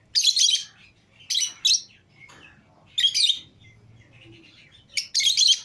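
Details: Lovebirds, a green Fischer's pair and a lutino pair, chirping while out of their cage with other lovebirds: loud shrill chirp bursts, some doubled, repeated roughly every second or two with quiet gaps.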